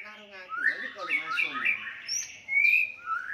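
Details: White-rumped shama fighting song, meant to provoke rivals and raise their aggression: rapid varied whistled and chattering phrases around mid-high pitch, with a low human voice overlapping early on.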